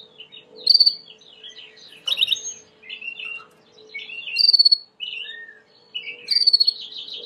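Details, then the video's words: White Timbrado canary singing a clean song for training: varied twittering phrases with loud, sharp bursts recurring about every two seconds between softer chirps. "Chant de Canari timbrado / the wonderful sounds of canary bird chirping / canario timbrado cantando"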